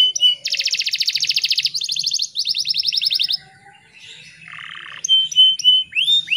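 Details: Morning canary song used as a lure to get stressed, untrained or post-moult canaries singing: fast rolling trills in long rhythmic bursts, a lower buzzy roll, then bright rising and falling whistled notes.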